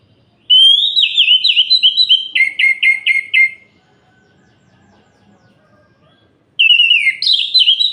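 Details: Orange-headed thrush singing at night to provoke other males: a loud run of slurred whistles, then rapid buzzy repeated notes about four per second, a pause of three seconds, and a fresh burst of sweet warbled phrases.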